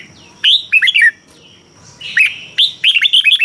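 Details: Red-whiskered bulbul kept in a cage in Thailand, its song played to excite or train birds; two quick phrases of liquid, chirpy whistled notes, one short and one longer, with a soft low hum behind.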